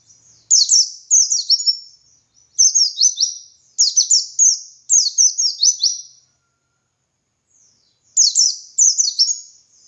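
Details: Lively ngalas song of a white-eye, kept for training other white-eyes: four rapid phrases of high, sweeping chirps with quick downward strokes, a silent pause, then a final energetic burst.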